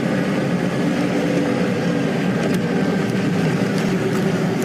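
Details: A steady, loud vehicle engine drone fills the whole recording, with faint ticks above it and no animal calls.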